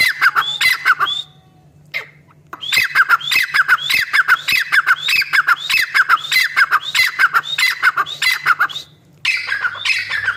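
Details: Female black francolin calling, used as a hunting and trapping lure: rapid harsh squawking notes in dense bursts, about one and a half per second, with a short pause, over a faint steady low hum.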